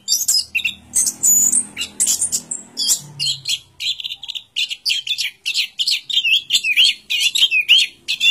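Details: Orange-headed thrush song: high, sharp chips and buzzy notes at first, then a quick run of repeated bright chirps and short rising whistles, with some low rumbling early on.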